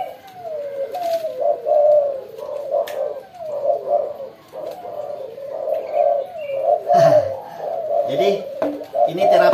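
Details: Captive pet Spotted Doves kept for cooing coo indoors in low, soft, rolling phrases that repeat and overlap, with a man talking over them.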